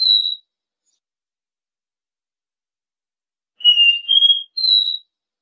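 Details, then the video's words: Caboclinho, or copper seedeater, giving the classic three-note 'dó ré mi' song for tutoring young birds: a single high whistle, a long silence, then three pure whistled notes stepping upward, each clear and sustained. "Canto DÓ RÉ MI 3 NOTAS...ENCARTE IDEAL PRA ENSINAR E FOGUEAR SEU CABOCLINHO"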